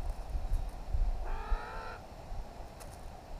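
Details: Wild, free-flying New Caledonian crow, one of a family of three using tools at a log to get food, gives a single nasal, harmonic call lasting under a second, level in pitch, over steady low rumbling wind and handling noise.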